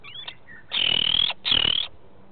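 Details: Lesser kestrel at a nest at Elyakim, March 24, 2013: the male arrives with prey for the female as she lays her second egg. After faint thin notes come two loud, harsh, chattering bursts, high-pitched and level, about half a second each.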